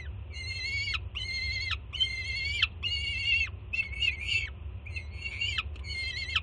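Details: Loud excited screams of a juvenile peregrine falcon greeting its mother, who arrives with food at the Jersey City nest, June 2017; seven harsh, strongly harmonic screams, some rougher and broken, each with a downward-dropping finish, low rumble beneath.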